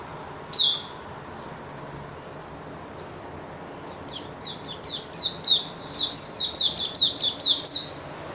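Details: Straw-headed bulbul, recorded 16 May 2018 on a Sunday as a study of its fierceness and energy: one sharp note, then a quick run of about fifteen bright, falling notes over four seconds, against a steady background hum.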